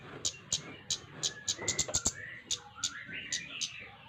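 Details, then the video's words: Flowerpecker ticking sharply and quickly, the notes bunching into a faster run midway, while thin rising whistles of other birds sound faintly behind. "Burung cabe cabean gacor"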